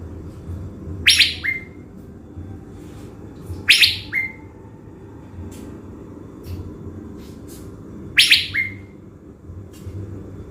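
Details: Blue-winged leafbird from Bình Thuận, Vietnam, a caged decoy bird prepared for the forest, gives three loud rasping bursts, each ending in a brief flat whistle, with faint ticks between them and a steady low rumble behind.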